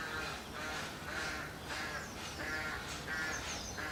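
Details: Rooks calling at nests holding young in late March: rough, nasal caws repeated almost twice a second in an uneven series, with faint high bird notes in the background.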